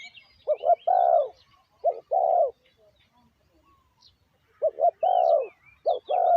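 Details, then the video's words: Decoy spotted dove calling to lure wild doves: low cooing phrases of two short coos followed by a longer, rolling coo, given twice about four seconds apart, with faint high chirps of other small birds behind. "chim cu mồi gáy gọi bổi"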